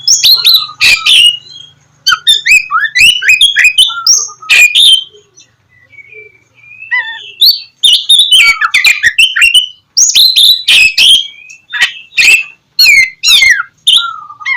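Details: Energetic Oriental magpie-robin (kacer) song, meant as a lure to get lazy magpie-robins singing in the morning; dense runs of varied whistles, trills and chirps, broken by one brief quiet spell in the middle.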